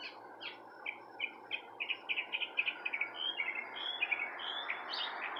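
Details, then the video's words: Porch-side birdsong: a fast, varied series of high chirps and short buzzy notes, growing busier and overlapping toward the end, against a steady background hiss. "Birds Chirping sounds"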